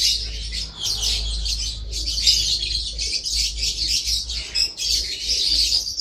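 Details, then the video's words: Lovebird chatter: rapid, overlapping high-pitched squeaks and chirps running without pause, over a steady low mechanical hum. "Love Bird"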